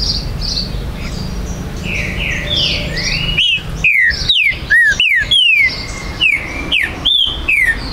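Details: A green-winged saltator held by a Brazilian breeder sings in September 2020, a song used to rouse rival males: after quiet background chirps, a burst of bright, falling whistles repeated quickly and unevenly.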